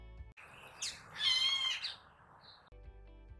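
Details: Golden-tailed woodpecker (Campethera abingoni) calling near Pretoria gives a single drawn-out, nasal, high-pitched wail, then a brief thin note, with soft background music before and after.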